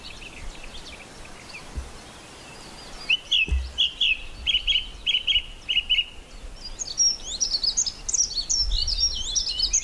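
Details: Song thrush singing on Castlemorton Common near Malvern in May 2021: a series of clear high phrases, a note repeated five or six times at an even pace, then varied chirpy, scratchy figures, with faint distant birds behind.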